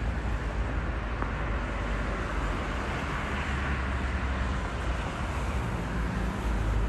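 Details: Steady engine and traffic rumble fills an urban outdoor scene in Gdańsk, with no animal calls heard.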